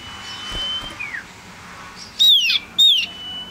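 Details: Male Common Iora (cipoh, sirtu), a tame, lively small yellow bird, gives two loud, high whistles near the end, each sliding downward, about half a second apart, after a faint thin whistle and soft background hiss.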